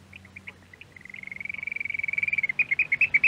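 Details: Eurasian oystercatcher, Norway, from a radio archive recording: a few separate shrill notes, then a long accelerating piping trill that swells in volume and breaks into loud, rapid, strident pips at the end.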